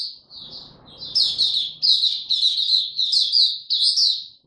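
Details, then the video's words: High, sweet twittering from a caged white-eye opening its song, recorded 3 January 2022: a thin lead-in note, then about six quick, bright warbled phrases close together over a soft background rustle. "Mata Puteh Dagger ramp up form buka tiong aw sing"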